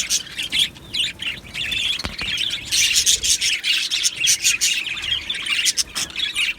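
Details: Budgerigars in an Australian budgie aviary colony singing and chirping: overlapping high warbles and clipped tweets in pulsing bursts, loud then softer, from a crowd of birds.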